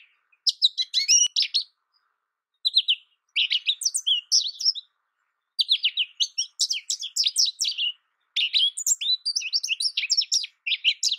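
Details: American goldfinch singing long runs of rapid, high, varied chirps and twitters, broken by short pauses into four or five bursts.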